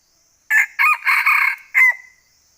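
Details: Male red junglefowl in the forests of northwest Vietnam during the trapping season, giving one loud, harsh crow: a short opening burst, then a longer broken middle phrase and a final note trailing off.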